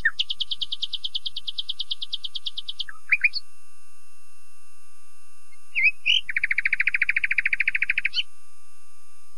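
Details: Common nightingale delivering a long fast trill of high clipped notes, a pair of low chuckles, silence, then a few rising whistles and a second lower, very rapid rattling trill.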